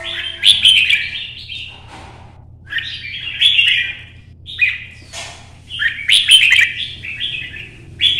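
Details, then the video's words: Red-whiskered bulbul singing solo in early morning sun, hopping between perches in competition-style song to provoke other birds: three bursts of bright, warbled, slurred phrases with sharp clicks, separated by pauses, over a low steady hum. "CHÀO MÀO | Nắng sớm solo chạy cầu hót đấu kích chim"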